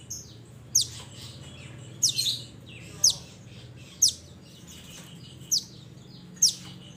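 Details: Mantenan from the mountains calling its companions: a run of bright, steeply falling high chirps roughly one per second, one note followed by a short jumbled twitter, with low background hum.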